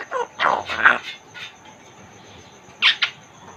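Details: A caged African grey (Congo grey) parrot, talking, gives a few short, raspy, speech-like bursts, a cluster in the first second and two quick ones near the end, over a steady high hum.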